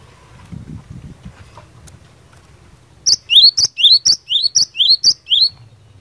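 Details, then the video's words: Cinereous tit, singing to goad other tits into answering, begins after three seconds of faint background rustle; then about five clear paired whistles follow, each a high sharp note and a rising slur. "Burung Glatik Batu Gacor Fighter, Cepat Bikin Glatik Lain Langsung NYAUT"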